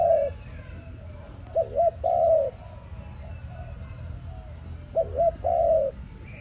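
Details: Dove cooing, meant as a lure sound for trapping. Two phrases about three and a half seconds apart, each a short bent note and then a drawn-out coo that sags at the end, over a faint low rumble.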